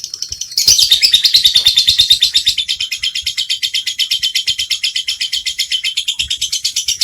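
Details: Lovebird singing in the ngekek style: a long, fast, buzzy chattering trill of high notes repeated about three times per second, holding steady and unbroken across the whole stretch with no other sounds.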